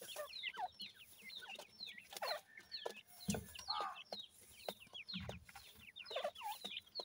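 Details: Baby dakhni teetar, a francolin, peeping: many short high descending cheeps from several chicks, irregular and overlapping, with occasional low thumps and handling sounds.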